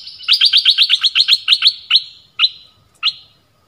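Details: Orange-headed thrush, southern Thai type, song used to lure wild birds and train young birds: a fast run of about ten sharp chirps over a steady high tone, then three spaced chirps trailing off.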